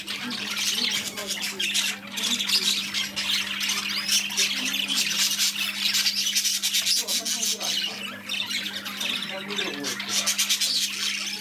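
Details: A crowd of newly delivered shop budgerigars produce a nonstop high-pitched twittering and squawking, with many birds calling at once and a faint mains hum beneath.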